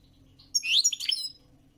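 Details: One brief twittering phrase from a European goldfinch: a rising bright note followed by a jumble of high tinkling chirps, with a faint low hum beneath.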